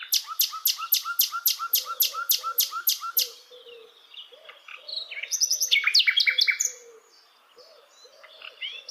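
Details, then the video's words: A flycatcher (sikatan londo) in wild forest repeats loud, sharp chirps in a steady run, then breaks into a buzzy trilled flourish, while low soft coos from another bird continue below. "kicauan Sikatan Londo Dialam Hutan Liar"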